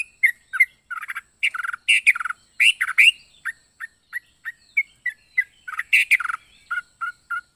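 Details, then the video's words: Yellow-vented bulbul with a varied, unusual song: irregular bursts of scratchy, buzzy chatter mixed with clear, short whistled chirps, some phrases rapid and stuttered, others single notes. "Burung trucuk unik suara aneh .aneka rasa burung trucuk ini"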